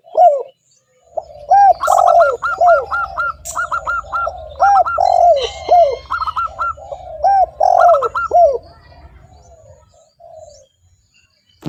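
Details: Lure call of a spotted dove for attracting wild doves: rounded, arching coos delivered in quick groups of three with a trailing soft purr, repeated steadily. Quieter background cooing and thin bird chirps at times.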